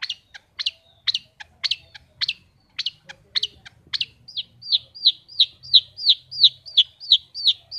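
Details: Caged long-tailed shrike singing a fast, lively series: sharp clipped notes, then a run of rapid downslurred whistled chirps about three per second, clean and loud.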